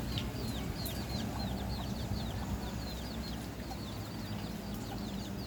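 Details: Rapid high, thin peeps from red junglefowl, each falling slightly in pitch, about two or three per second, with a persistent low-frequency background rumble.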